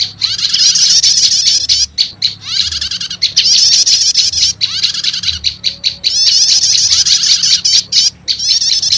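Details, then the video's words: Lure recording of prenjak lumut prinia combined with prenjak setater: long runs of rapid high, scratchy chattering separated by brief silences and a few isolated sharp notes. "Suara Pikat Burung PRENJAK LUMUT Kombinasi Prenjak Setater"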